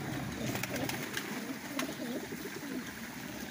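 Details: Fancy pigeons at a big pigeon farm in Qatar give deep, wavering coos in quick succession, several birds overlapping, with sharp clicks and rustling from the flock behind them.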